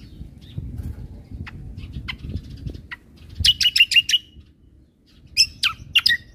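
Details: Singing cucak kombo used as a master for caged birds, end of 2022: scattered thin chips, then a brisk series of five piercing repeated notes and a few sharp squeaky calls.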